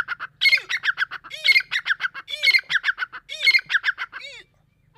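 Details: Grey francolin (dakni teetar) repeating a loud, rhythmic phrase of sharp, ringing, slightly nasal notes about once per second, four phrases in a row, then a single trailing note.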